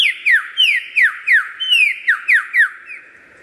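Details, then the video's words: A lyrebird gives a quick series of about ten sharp, ringing whistles, each sweeping steeply downward, at roughly three per second before trailing off. "suara burung lyrebird gacor"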